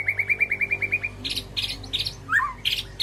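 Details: Caged white-rumped shama calling to its flock in an aviary: a quick string of about ten clipped whistled notes, followed by scattered harsh, buzzy bursts and a falling whistled slur.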